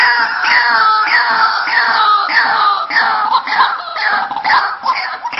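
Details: White-breasted waterhen lure recording with a continuous chorus of loud, harsh, overlapping screeching cries. Many cries slur downward, and there is no clear pause throughout.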